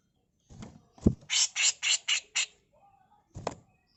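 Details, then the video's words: Grey-cheeked bulbul female, tutor recording in 'mbeset kasar' style: a knock, then five coarse rasping notes in a fast row, a short lull and a further scratchy note with low thumps. "Masteran Burung CUCAK JENGGOT FULL MBESET KASAR || Cucak jenggot betina"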